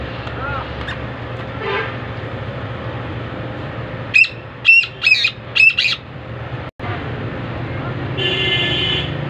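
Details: Black francolin calling: a short series of five loud harsh grating notes in quick succession, over steady background rumble of traffic and outdoor noise.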